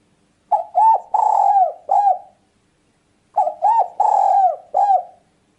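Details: Spotted dove cooing as a lure for hunting and trapping birds: two identical four-note phrases, each with a long drawn-out third coo, about three seconds apart on a quiet background.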